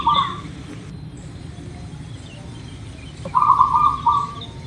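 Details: Zebra dove, local type, singing as a lure to get birds calling quickly: the tail of one phrase opens, then after a pause a low bubbling run of quick cooing notes, over steady background noise.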